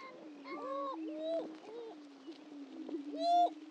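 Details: Greater prairie-chickens at a historic lek on Dunn Ranch Prairie, Hatfield, Missouri: a steady low moaning hum runs throughout, overlaid by several rising-then-falling hooting whoops, louder near the end.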